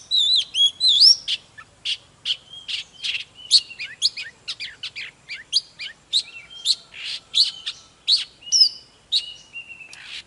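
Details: Caged Oriental magpie-robin giving intense song: a few swooping whistles, then a long series of sharp clicking and chattering notes interspersed with clear whistled phrases and upward slides.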